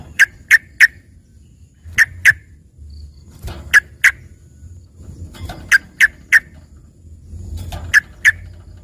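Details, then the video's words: Trained 'isian' song of a yellow-vented bulbul, compared to a green leafbird: short clusters of two or three crisp, evenly spaced chip notes recurring every second or two, with low rumbling background. "dengerin suara trucukan isian ini serasa bagai punya burung cucak ijo gacor"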